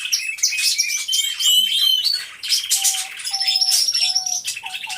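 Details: Canaries in an aviary singing in chorus, hidden-camera audio: bursts of high chirps and trills with short pauses, plus repeated brief steady mid-pitched whistle-like tones in the second half.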